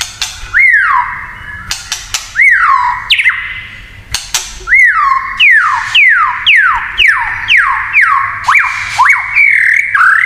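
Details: Kretekan song of a white-rumped shama, meant to stir rival shamas: loud swooping whistles that rise then fall, repeated about every second with crisp clicks between, quickening toward the end.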